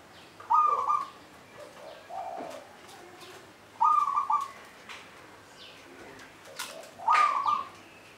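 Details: Zebra dove (local perkutut) singing at Candi Rimbi, Jombang. Short, rapid trilled coo phrases come about every three seconds, with softer lower notes between them. Faint fluttering and clicking noises are also heard.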